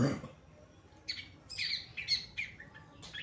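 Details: Pastol-type long-tailed shrike in full, vigorous song, recorded as tutor material for other songbirds. A brief low thump opens, then a run of sharp, high chirped notes comes in quick groups of two and three with short gaps.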